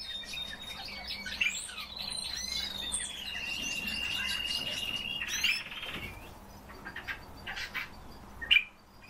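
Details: Pet common starling in captivity, asked to sing, delivers chattering notes leading into a long level whistle lasting several seconds, then scattered clicks and a sharp final note.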